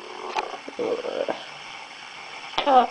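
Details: A female pet yellow-naped amazon in her cage talks in short, speech-like syllables, then gives a bright, rising, nasal word near the end, in a quiet room.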